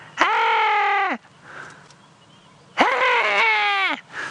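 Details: A hadeda ibis on a sunrise safari drive around 5 AM, 7 December 2016, at Djuma private game reserve, South Africa, about 19°C, sounding angry for no known reason, gives two loud, harsh, nasal wails, each about a second long and dropping at the end.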